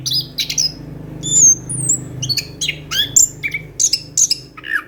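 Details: Orange-headed thrush in lively song with rolling phrases, used as a lure to coax a quiet thrush into singing: varied high whistles, short slurred notes and scratchy bursts, with a low hum underneath.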